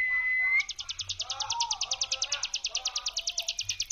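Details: Brem song of a hill prinia for luring, beginning with a brief steady whistle, then a rapid sequence of buzzy high notes repeated evenly. Softer warbling calls of other birds lie beneath.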